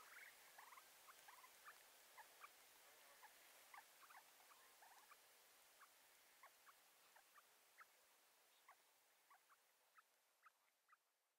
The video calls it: Rufous bellied Seedsnipe